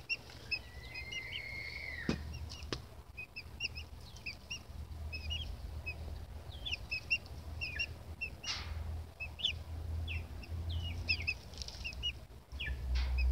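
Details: Baby chicks chirp incessantly in quick high peeps, opening with a long sustained whistled peep, with a few clicks and brief rustles amid constant low background hum.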